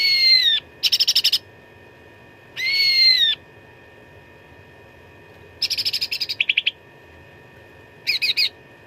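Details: Fighting song of a cucak ranting, recorded as training material for contest birds: long clear whistled notes that fall at the end alternate with bursts of rapid clipped chattering and short stuttering runs, above a soft steady hum.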